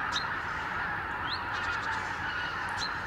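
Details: Massed wild Arctic geese on their morning return from roost to Lower Rhine meadows in winter; a continuous roar of countless overlapping honks, punctuated by a few clearer rising yelps.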